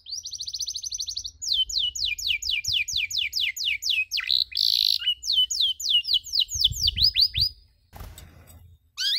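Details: Domestic canary on a tutor recording for young canaries learning the cuit cuit chirp: rapid runs of high, sharply rising chirped notes repeated in long series, a brief harsh burst midway, with faint low hum.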